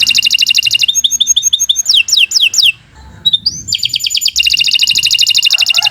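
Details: Canary in long, unbroken song meant as a master recording for other birds: dense fast trill, a run of short repeated chips, downward swooping whistles, a brief pause, then a renewed rising slur and rapid trill.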